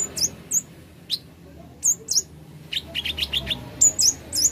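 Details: Plain flowerpecker (kolibri ninja), recorded as therapy to make birds sing soon: very high, thin downslurred chirps spaced out, with a quick run of lower ticking notes near the end.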